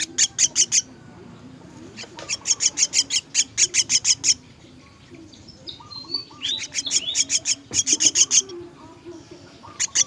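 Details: Myna; begging call; chicks begging to be fed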